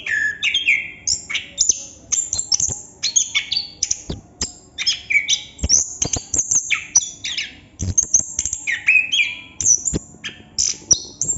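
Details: Continuous chestnut-capped thrush song, local name plontang: a long busy stream of piercing high notes, down-slurred whistles and scratchy trills, packed phrases following one another with only brief breaks.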